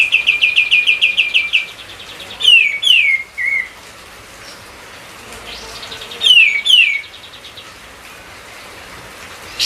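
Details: White-eye song used as a lure for training songbirds: a long fast series of even repeated chirps, then paired downward whistles and a short twist, with another whistled pair after a pause.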